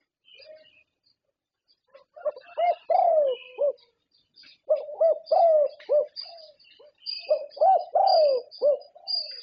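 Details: Champion contest zebra dove from Thailand delivering rapid bubbling coo phrases of clipped notes and rolling purrs, two long bursts separated by a pause, against thin high chirping of other birds.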